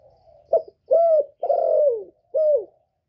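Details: Spotted dove; coo; stimulating males to call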